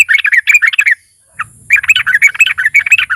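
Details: Sooty-headed bulbul, a lively fighter bird, singing to provoke other bulbuls into song: quick chattering chirps, a brief pause and one lone note, then a fresh run of jumbled bright chirps, with a faint high whine behind.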